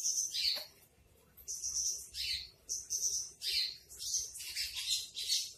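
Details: Branjangan trotol, or Javan bush lark, singing in a masteran recording: high, rasping phrases in short bursts with brief pauses, over a faint low background rumble.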